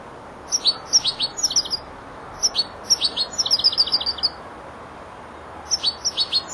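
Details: European goldfinch aged four months, a learner beginning to round off its phrases, singing three bursts of high, liquid twittering notes separated by short pauses.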